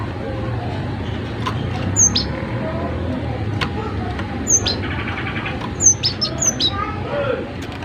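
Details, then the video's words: Cinereous tit (gelatik batu) singing loudly for a training recording meant to set other birds singing: thin, high whistled notes in short paired phrases every second or two over a steady traffic rumble and faint voices. "Masteran gelatik batu gacor agar burung gelatik lain ikut Gacor"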